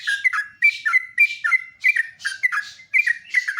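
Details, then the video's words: Morning song of a sooty-headed bulbul, loud chirpy whistled notes in quick succession, each phrase bending down then up, with soft hissy rustles layered over several notes. "LIVE PAGI KICAUAN TRUCUK PALING MERDU"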